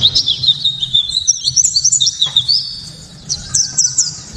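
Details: A white-eye's loud, clear 'tembakan' song, meant to goad other white-eyes into singing. High rippling twitters flow quickly in a string, pause briefly, then resume with a few sharp high notes. Background stays quiet apart from a low hum.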